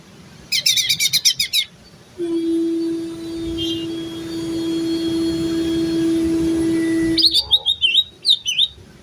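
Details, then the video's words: Terotol-style song of a greater green leafbird: a short run of rapid, high, buzzy chirps. A steady low hum drones for several seconds, then rapid, looping whistled notes return. "Cucak ijo Terotol"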